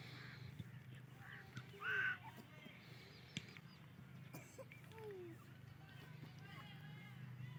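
A female grey francolin gives one loud, ringing, mid-pitched note over a steady low hum, with a few faint lower notes later.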